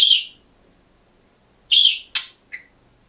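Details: Budgerigar alone in a cage, singing and chirping: a loud, high whistled chirp, a pause of over a second, then a quick cluster of three sharp chirps, the last one shorter and lower. Quiet room with no other sounds.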